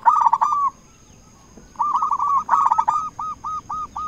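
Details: Zebra dove of local stock, singing actively as a lure to call rivals. A loud rolling burst opens, then after a pause a busy run of coos gives way to five slower, evenly spaced hooked notes.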